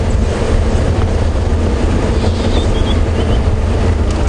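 Steady low engine rumble and wind buffeting, with no animal calls standing out.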